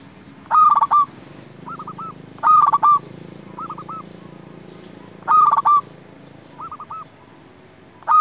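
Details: Local zebra dove in full song, used to provoke rival doves into answering: loud, clipped, rolling coo phrases with two quick notes, about every three seconds. Softer three-note coos answer between them over a low hum.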